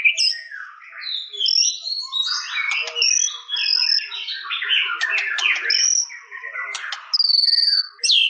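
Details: Varied song of a white-rumped shama: high clear whistles alternate with jumbled chattering and clicking notes, ending with a bright sustained whistle.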